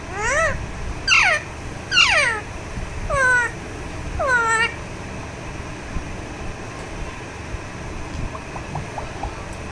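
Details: Massaged pet Alexandrine parakeet gives a quick series of five short, falling squawks about a second apart, then goes quiet with only faint chirps.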